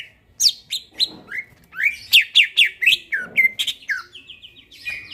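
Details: Greater green leafbird singing at night, a fast, varied sequence of bright upslurred whistles, sharp chips and buzzy notes, ending with a short run of quick repeated whistled notes.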